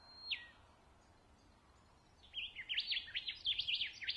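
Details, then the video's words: Rufous whistler at Pomingalarna Reserve, NSW, Australia: one long high whistle dropping steeply, a pause, then a lively jumble of zigzagging, rapidly alternating whistled notes rising and falling in quick succession. "Birdsong of the Rufous Whistler"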